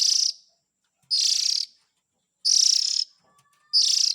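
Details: Chick calls of the Oriental magpie-robin used to lure adults: four grating, hissy, high-pitched bursts, each up to half a second long and spaced over a second apart, with a faint thin tone in one gap.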